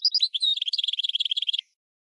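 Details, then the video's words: Red canary crossed with goldfinch, a tutor singer for training birds, gives a few high sharp notes and then a fast, even trill lasting over a second that stops abruptly. The recording is otherwise clean. "GOLDFINCH x RED CANARY (Hybrid Bird) The Best Teacher for Training"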